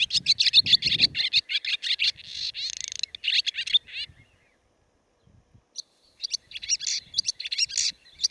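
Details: Siberian barn swallow twittering in dense, fast chattering bursts, falling silent for about two seconds, then resuming with scattered high chirps and buzzy notes.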